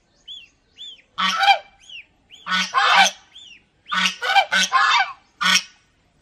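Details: Domestic geese at Planet Earth Aquarium, Mysore, give harsh, nasal honks in quick uneven bursts, about eight in six seconds, with thin squeaky upslurred notes between them.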